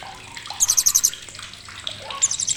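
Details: Sharp chattering of a blue-crowned hanging parrot (srindit), recorded as tutoring material for competition songbirds. A single quick burst of high, evenly spaced notes, then a second starting, with splashing water beneath.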